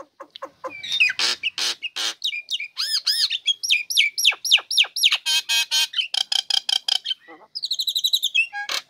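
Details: Female Nias hill myna, caged, bursting into song once its cover is opened, kept to stir lazy birds into singing; clicks, arched whistled phrases, harsh buzzy bursts and fast repeated notes in a long varied run.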